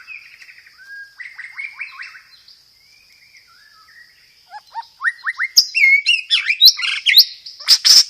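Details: White-rumped shama song rich in roll-tembak material and sparrow-fight fill-ins: soft rising whistles and buzzy notes build into a loud burst of rapid chips and sweeping whistles, over a continuous thin whine.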